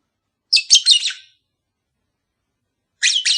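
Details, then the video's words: Pet lovebird pair, call to encourage mating: a loud, shrill, rapid chattering burst, then after a pause another high scratchy chatter beginning, close and clear. "Cara ampuh untuk memikat sepasang burung agar cepat kawin"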